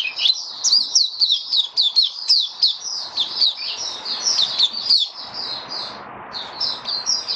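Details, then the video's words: A kept white-eye (mata puteh) named Kitaro starts singing, recorded 23 March 2022 while its nutrition was being adjusted for warm humid weather: a fast, continuous twittering run of high, slurred notes, with only a brief pause near the end. "Mata Puteh Kitaro Video 1 buka sing"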